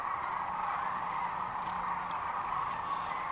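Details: Massed sandhill cranes at Rowe Sanctuary in Gibbon, Nebraska, on March 13, 2014, make a steady chorus of rolling calls blended into one continuous roar, with no single bird standing out.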